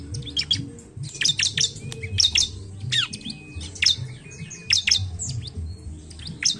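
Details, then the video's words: Bar-winged prinia song: dense, high, sharp chirps and squeaky notes in quick bursts, over a low steady hum. "Pancingan CIBLEK malas bunyi"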